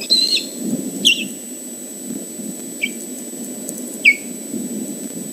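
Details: At the Dyfi Osprey Project on 30 July 2014, an osprey displays at an intruder, giving four clipped, high, downward-slurred whistles at irregular intervals above a constant low rumble.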